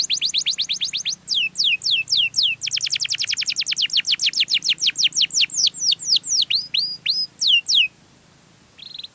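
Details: Melodious canary song used to lure other canaries: long, rapid rolling trills of high downward-sweeping notes, about four per second at first, then faster, with a few slower, separated sweeping notes near the end, then a short buzzy note after a pause.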